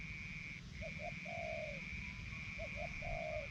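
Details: Caged decoy Spotted Dove in Isan, northeastern Thailand, tested after removal from its breeding cage. Two soft, faint cooing phrases, each of short notes ending in a longer drawn coo. A steady high whine runs throughout.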